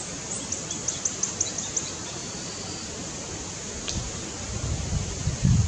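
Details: Plain flowerpecker singing in the wind at low elevation in Northeast India: a quick run of about eight very high, thin ticking notes over roughly a second and a half, against steady rumbling wind.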